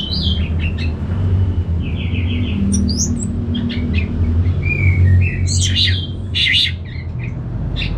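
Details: Gacor song of an orange-headed thrush in North Bali: scattered whistled notes, quick trills and short buzzy bursts, partly masked by strong low rumbling noise throughout.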